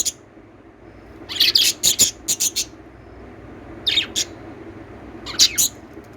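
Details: Lovebirds singing and chirping: loud clusters of sharp, high, scratchy chirps, a rapid run of about six notes followed by two shorter bursts after pauses.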